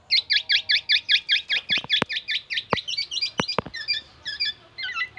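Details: Black-naped oriole song full of oriental magpie-robin and siren imitations: a fast, steady series of sharp chevron-shaped whistles about two and a half per second, broken by loud clicks, then scattered thinner notes.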